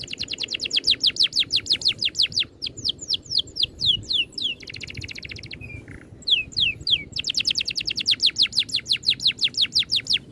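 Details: Rolling oriental magpie-robin song from a bird training recording, tightly packed: long runs of rapid downslurred whistles, about three per second, broken by a buzzy rattle and a brief flat note, then another fast series.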